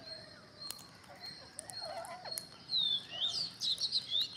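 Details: Green parrots, more and more arriving; soft distant chatter gives way midway to a louder cluster of shrill, buzzy squawks and rapid chirps.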